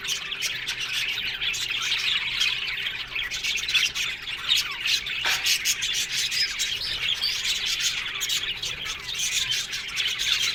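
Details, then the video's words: Budgerigar colony in an aviary, many birds chattering at once: a dense, continuous wash of high chirps, squeaks and warbled twitters with no pauses, plus a brief sharper squawk near the middle. "One Day Parakeet's Sounds Budgies Love Birds HD Sounds No 1"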